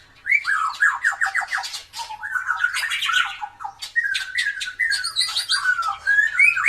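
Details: Drooping-tailed White-rumped shama in energetic song meant to stimulate other birds to sing; clear whistled notes falling in quick runs, then rich warbled phrases with sharp clicks and squawks, repeated without long pauses.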